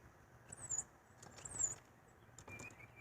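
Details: A titmouse repeatedly tapping and flapping at a house window, possibly attacking its reflection, gives two very high, thin squeaky notes about a second apart, over faint tapping and low indoor background noise.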